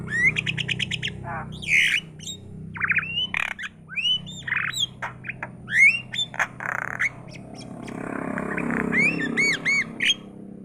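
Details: Continuous myna chatter: a jumble of sharp clicks, harsh squawks and brief whistled slurs, ending in a series of repeated clear upslurred whistles over faint background hum.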